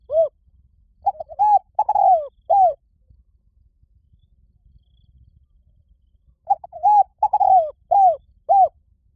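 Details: Spotted dove calling: two bursts of soft, hollow cooing, each a quick run of short rounded coos ending on a falling note. A quiet pause of about four seconds separates them, and the background is otherwise still.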